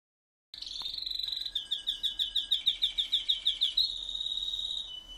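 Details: Pet canary singing, a bright high whistled note opening into a fast rhythmic trill of repeated pulsing syllables, then a sustained steady whistle, all clear and close.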